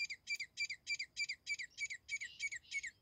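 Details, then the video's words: Grey francolin (teetar) call used for hunting: a rapid, very even series of about fifteen harsh, ringing notes in three seconds, each note a short grating chirp with a clear tonal core. "grayfrionclin hunting calls number 0089(2) teeter grey partridge"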